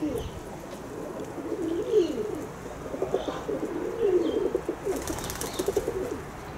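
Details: Several kept pigeons cooing in overlapping low, throaty, rolling coos that rise and fall, with faint chirps from small birds and light rustling in the background.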